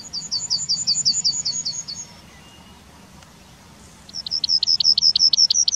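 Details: Yellowhammer song from the town of Wittlich, 2019: a brisk series of repeated high chipping notes, a two-second quiet gap, then a second series of similar rapid chips. Soft low urban hum throughout.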